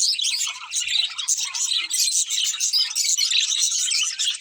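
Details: Budgerigars keep up a busy high chatter, overlapping squeaky chirps and short warbled notes with no pauses, as if several birds call at once.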